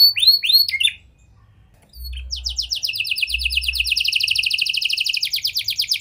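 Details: Caged canary singing in the prenjak and lovebird song style, used as a lure to stir silent canaries into song: falling whistled notes, a short pause, then a fast buzzy trill of rapid repeated notes that grows steadily louder.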